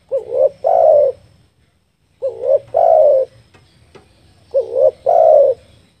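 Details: Lure call of a spotted dove for trapping: three coo phrases about every 2.3 seconds, each a short wavering note followed by a longer, fuller hoot, with a low hum and a faint click.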